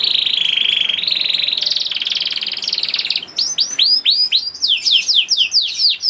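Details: Young canary, song used as a lure for other canaries, opens with a long, even rolling trill for about three seconds, then breaks into looping, curling whistles repeated several times.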